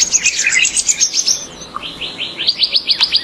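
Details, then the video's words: Purple-throated Euphonia (fim-fim), a Brazilian bird, singing a quick run of high, thin chirps and short slurred notes, first tumbling and dense, then after a brief pause a steady series of sharp, evenly spaced tweets. "CANTO HIPNOTIZANTE do FIM FIM"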